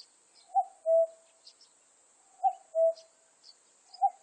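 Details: Two full cuckoo phrases from a common cuckoo, each a short higher note falling to a longer, lower note, about two seconds apart. A third call begins at the end. A faint steady high hiss and sparse high chirps are heard.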